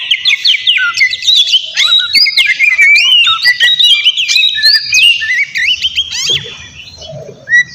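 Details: Rival-provoking song of a White-rumped shama: varied sweeping whistles, rattles and quick chips in a continuous outpouring, fading near the end with a last rising note.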